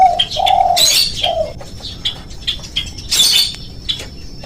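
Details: Spotted dove lure recording, played to prompt doves to start calling. Three short low cooing notes in the first second and a half. Sharp higher chirps from other birds are scattered throughout, with a faint steady high whine.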